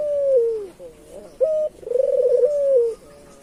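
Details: Island collared dove, local type, cooing to draw in other doves: the end of one descending coo, then a short flat note, a quick rolling trill and a long sinking finish.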